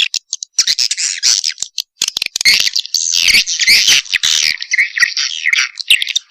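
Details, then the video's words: Swiftlets calling in a lure recording meant to attract them with a mating call: dense, overlapping high twittering and buzzy chatter, nearly continuous, broken by fast clicking. "KOMBINASI SUARA PANGGIL WALET"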